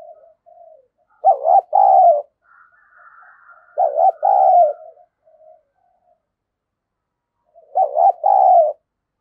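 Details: Decoy spotted dove cooing to provoke rival doves: three loud paired coos spaced roughly three seconds apart, each a dipping note then a sustained one, with soft low coos and a faint higher note between.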